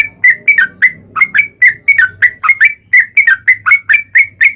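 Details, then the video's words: Sooty-headed bulbul song used to lure bulbuls into singing: a fast string of clear, slurred whistled notes at about four per second, with a faint low hum underneath during the first half. "trucukan gacor ROPEL PANJANG buat pancingan trucukan agar bunyi"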